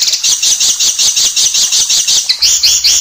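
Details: Oriental magpie-robin in a fast, dense, harsh shooting style for training songbirds: continuous stream of high buzzy chirps pulsing about twice a second, faint low hum near the end.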